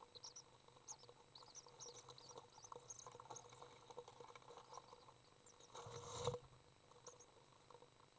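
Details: Nestling common swifts in a nest box during feeding by a parent, June 10th 2011; faint high squeaky chirps scattered through the opening seconds, then a loud rustling thump against the box before brief quieter chirps.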